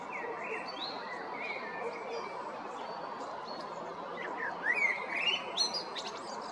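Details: Male blackbird singing at Jarun or Prečko, Zagreb, Croatia, April–May 2022: gentle whistled phrases early on, then a flurry of high, squeaky twittering notes toward the end.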